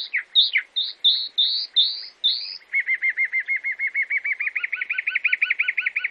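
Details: Chalk-browed mockingbird (sabiá-do-campo) from Brazil singing: a string of bright upslurred whistles, then a long rapid trill of evenly repeated notes that grows louder toward the end.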